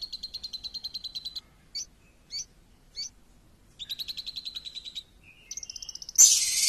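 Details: Champion lovebird singing a lure song. Rapid high chattering trills alternate with three single sharp notes. The song ends in a loud harsh rasping burst.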